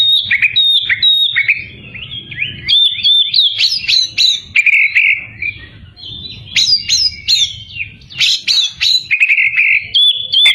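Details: White-rumped shama singing vigorously to provoke rival birds: a loud, varied run of sharp whistled and buzzy notes, rapid downslurs and chattering phrases, high-pitched and repeated in bursts with brief pauses, over a quiet low background.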